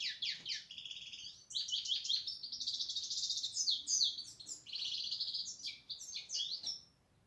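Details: European goldfinch pouring out a long, rambling high song of sparkling twitters and rattling buzzes, with brief pauses before it trails off.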